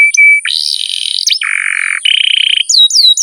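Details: Canary song, masteran recording to encourage young, lazy birds to sing: a whistle, then buzzy rolling trills at several pitches, ending with three falling slurred notes; steady faint high hiss behind.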